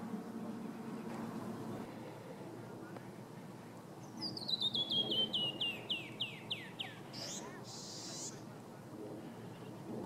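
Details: Male Canyon wren singing at Red Rocks Park, Morrison, Colorado, on March 13, 2015: a cascade of about ten clear, whistled, downslurred notes, falling in pitch and slowing, closed by two harsh buzzy notes, over a low background rumble.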